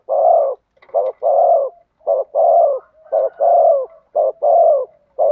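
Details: Spotted dove performing 'thổ sấm' voice cooing: a steady run of loud, husky low coos, short notes alternating with longer drawn-out ones, repeated almost without pause.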